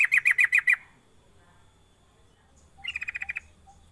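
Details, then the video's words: Sooty-headed bulbul gives a quick run of five bright, bubbly notes, then after a pause a faster chattering burst of about eight similar notes; a lure call to prompt other bulbuls to sing. "Pancingan Trucuk biar cepat bunyi gacor"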